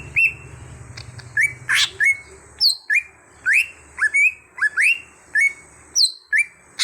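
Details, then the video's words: Cucak hijau (greater green leafbird), a kept bird trained into an active singer, delivers a steady series of loud, sharp whistled notes, many swept downward, with brief pauses between phrases and a quiet background. "Pandai Membuat Cucak Hijau Bahan jadi Gacor"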